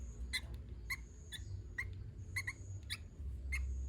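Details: Sooty-headed bulbul, lively gacor-style song: crisp, clipped chirps repeated roughly every half second, fairly even in pitch, with a constant thin high tone and low background rumble.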